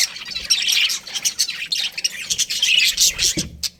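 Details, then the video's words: Budgerigars of a breeding pair giving quick, choppy bright chirps and scratchy notes in rapid pulses, ending with a sharp knock and a short pause. "Love Birds Breeding Pair | Budgies Chirping Sounds"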